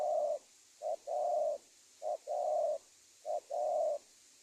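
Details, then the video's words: Spotted dove lure sound for trapping wild doves, Indonesia: three regular phrases, each a clipped short coo followed by a long, even low coo, about one per second. "SUARA TEKUKUR PIKAT si BRANDALZ BUJUK BURUNG HUTAN"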